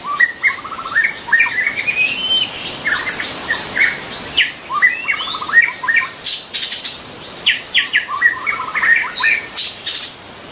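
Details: White-rumped shama in the wild singing stepped, rising runs of notes and quick rapid trills, repeated in phrases, over a steady high-pitched insect drone with brief louder buzzes.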